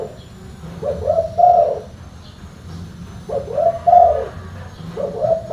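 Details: Three mellow cooing phrases from a spotted dove, called tekukur locally; each starts with a short note and swells into a longer hoot, spaced about two seconds apart over faint hum.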